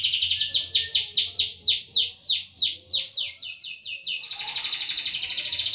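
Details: A canary, played as a lure to prompt silent canaries to sing, gives a fast run of high, downward-sweeping notes, about four each second, then breaks into a rapid, buzzy rolling trill.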